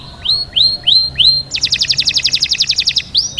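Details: Canary singing for mating: four rising-then-falling whistled slurs, then a fast buzzy trill of about twenty rapid repeated notes, ending with another clear whistled slur; faint low background hum.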